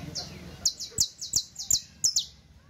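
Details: Saffron finch teaching song, a steady run of high, clipped notes repeated roughly every quarter second, bright and piercing, with low murmuring background noise.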